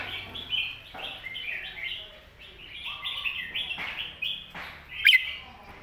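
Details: Red-whiskered bulbul master song meant to teach young birds, a chain of short warbled whistled phrases with a lower note in between and one sharp click near the end.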